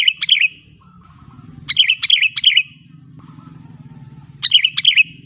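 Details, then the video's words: Sooty-headed bulbul lure song to trigger singing in other bulbuls: quick chirpy bubbling phrases recurring every couple of seconds, backed by low rumbling noise and a faint thin whine. "Suara Burung KUTILANG GACOR 100% ampuh untuk memancing Kutilang lain agar bunyi"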